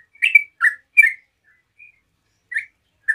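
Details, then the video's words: Relaxed 'ropel' song of a yellow-vented bulbul used to provoke replies from others: three quick gurgling chirps, a quiet pause with a soft whistle, then two more scattered chirps. "TRUCUK NGEROPEL SANTAI BUAT PANCINGAN TRUCUKAN LAIN LANGSUNG NYAUT"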